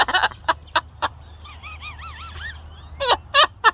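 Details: Male pet parrot singing to birds it is watching: harsh, raspy squawks in quick bursts, then a wavering, warbled whistle rising and falling several times, before more rough squawks; a low hum underneath.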